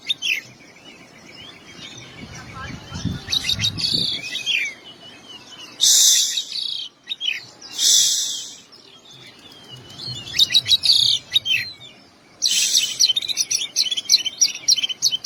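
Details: Oriental magpie-robin singing a varied repertoire of imitated phrases: sharp chips, scratchy bursts and high twittering runs separated by brief pauses, with faint low background noise.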